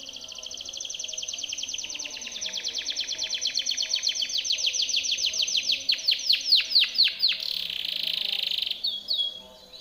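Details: Training song of a Timbrado canary: a long rapid metallic roll of tiny repeated notes that slows into wider swooping sweeps, then a buzzy rattle and abrupt stop.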